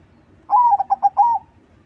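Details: Zebra dove singing a lively crossing-style song, used as a lure for other doves: one cooing phrase that opens on a drawn-out note, breaks into four short bubbling notes, then ends on a longer note, over a quiet background.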